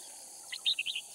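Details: Red-whiskered bulbul decoy from Cao Phong in Kim Bôi, Hòa Bình, Vietnam, singing less fiercely after recent rain; a brief, loud run of four or five bright whistled notes over a continuous high insect buzz.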